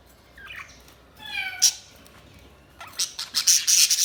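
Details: A budgie gives a drawn-out, tonal, slightly nasal call, then a rapid string of harsh, scratchy chattering bursts.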